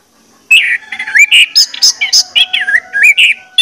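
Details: Orange-headed thrush song played as a singing lure: a continuous, varied stream of loud whistled slurs, rising and falling notes, and quick chirps with no pauses.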